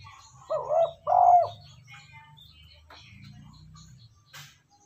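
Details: Spotted dove coo for stimulating a decoy bird: one low two-note hollow coo early on, short then drawn-out, followed by quiet with a soft low hum and faint chirps.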